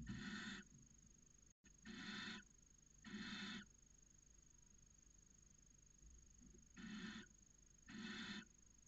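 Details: Barn owl pair inside a nest box in Cabañeros National Park, late January, copulating early in the breeding season; five harsh, noisy, hissing bursts about half a second each, spaced one to two seconds apart, with a steady faint hum behind.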